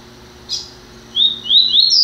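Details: Double-collared seedeater in captivity, newly acquired, FBI-style song: one short buzzy note, a pause, then three bright high whistles each rising in pitch in quick succession, over a quiet indoor hum.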